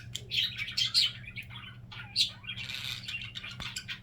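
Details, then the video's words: Pet budgie's signature sound: bursts of bright, buzzy high chirps and squeaks in uneven clusters, with quieter gaps and a low room hum beneath. "Wait for Phoenix's funny signature sound"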